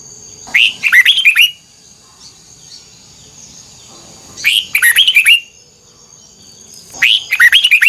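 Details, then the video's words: Voice-training song of a red-whiskered bulbul in the old wild-caught, twisted double-note style: three short, lively warbled bursts, repeated roughly every three seconds, each a chain of fast sliding whistles, with a thin constant high tone behind. "Luyện giọng chào mào hót hay âm kép xoắn, ép chào mào hót âm kép già rừng hay tuyệt!"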